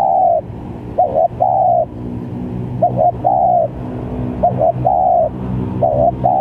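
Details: Spotted dove calling as a trapping lure, with varied notes: short double coo followed by a longer drawn-out coo, repeated roughly every one and a half seconds, low steady background hum.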